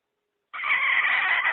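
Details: A hen's call used to lure wild chickens into traps: one sustained, slightly harsh, nasal note lasting about a second after a brief silence, with no other sounds.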